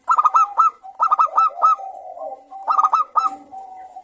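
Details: Local zebra dove singing actively in the morning: bursts of three to four quick, bright staccato coos followed by a softer rolling purr, repeated three times, with a steady faint high hiss behind.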